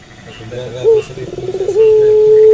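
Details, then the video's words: Puter pelung dove calling at night: soft rapid pulsed notes build into a loud, long, flat sustained coo that carries to the end. "Puter Pelung Gacor Manggung Malam Hari"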